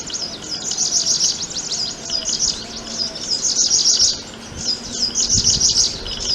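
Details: Prinia calling in dense, very high, chattering bursts of rapid rattled trills and flicked notes, pausing briefly between phrases, with quiet background hum and a couple of low knocks.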